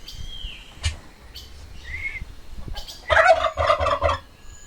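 A turkey gives one loud, fast, rattling gobble lasting about a second, after a few faint high whistles and soft background noise.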